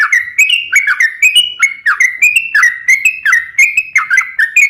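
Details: Sooty-headed bulbul singing gacor, used as a lure and training song for other birds: continuous bubbly whistled notes, each sliding quickly upward, repeated about three times a second, loud and clear with no background.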